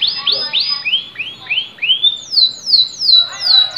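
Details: Canary song made of a series of repeated down-slurred whistled notes, about three per second, shifting midway to a higher run of sweeping notes, with a faint lower rolling note near the end.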